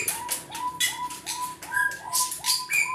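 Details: A crested partridge in an aviary gives soft, rising whistles, one about every 0.4 seconds, a loud call it makes when seeking its mate if the partner is not nearby, over high chirps and twitters from other small birds.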